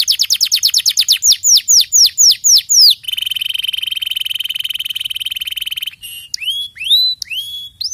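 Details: Canary singing: a fast series of downward-sweeping chirps, then a sustained even buzzy trill for about three seconds, ending with a few separate upward-curving whistled notes.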